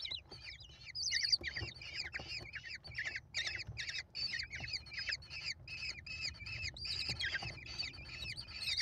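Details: Five American kestrel chicks at a nest on a live cam, 28 May 2021, calling while their mother feeds them: dense overlapping harsh, squealing chitters, rapid and continuous, several chicks at once with no pause.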